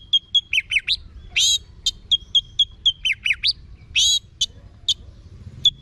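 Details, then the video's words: Orange-headed thrush (Anis Merah) from Singaraja, North Bali, kept for song training. It gives a rich varied song of clear whistles, rapid slurred phrases and harsh bursts, with short repeated whistled notes between them. "Guru Vokal ANIS MERAH Agar Selalu Ikut Nyaut Ngeplong di Rumah"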